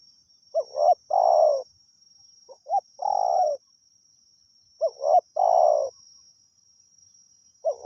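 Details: Spotted dove from the wild, called in by a decoy: repeated coo phrases, each a short doubled note then a long throaty croo, three full phrases roughly every two seconds over a faint steady whine.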